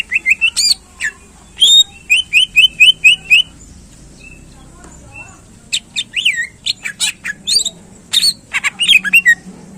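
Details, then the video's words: Greater green leafbird singing in full, varied song to excite contest birds: a run of rapid repeated whistled notes, then sharp chirps, slurred rising and falling phrases and harsh bursts in quick succession, with a steady background hum. "Cucak Ijo Gacor Ampuh Menaikkan Emosi Burung Lomba"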